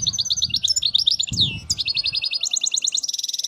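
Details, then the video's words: Khalawi-style European goldfinch song without faults: choppy high twitters, a long descending slurred note, then steady rapid trills that speed into a fine ringing series at the end, with low rumble early on. "حسون خلوي خالي من الأخطاء"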